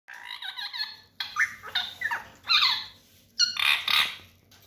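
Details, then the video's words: A talking parrot in a small indoor room gives a run of harsh, squeaky, speech-like bursts, four phrases over about five seconds. "tota tota mithu mithu parrot sound"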